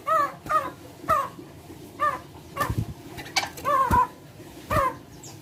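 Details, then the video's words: Big bird with a chicken-like voice giving a series of short, nasal, arched notes roughly every half second to second, fairly quiet against faint background noise. "Suara burung gacor paling membagongkan"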